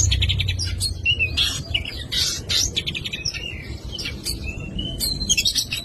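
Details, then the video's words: Oriental magpie-robin singing a varied full song: quick repeated chips, clear rising whistles and scratchy buzzy bursts, loud and continuous, with steady low rumble underneath. "KACER FULL ISIAN."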